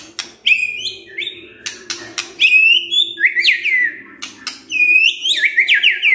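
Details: White-rumped shama (murai batu) lure song showing off its repertoire. Clicks are followed by high, clear whistled phrases that drop and waver, delivered in lively runs.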